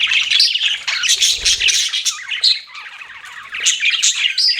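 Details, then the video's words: Several pet budgies chirp and chatter in a bright, high jumble of twitters and thin squeaks, with a soft low rumble near the start. "BUDGIES CHIRPING SOUND"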